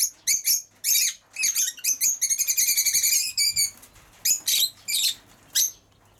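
Lovebirds giving shrill, harsh chattering calls in quick bursts, with a rapid buzzy trill in the middle; a faint low hum underneath.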